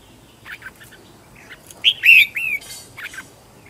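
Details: Red-whiskered bulbul decoy singing: a few soft chirps, then a loud, rich, rolling phrase of slurred whistles, ending in two quick chirps.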